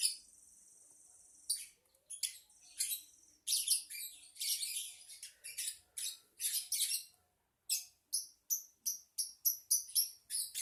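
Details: Lovebird chatter: a long, thin high whine, then bursts of scratchy, high chirps and squeaks, with a short pause before a run of evenly spaced sharp notes at the end.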